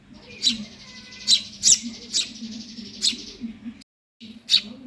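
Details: A hungry Eurasian tree sparrow chick begs with sharp, high, harsh chirps at irregular intervals, over a low hum and a brief dropout of sound near the end.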